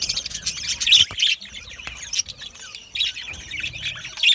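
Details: Aviary budgerigars making high twittering chirps and short squawky notes in quick clusters, with a brief quieter stretch midway before chatter resumes.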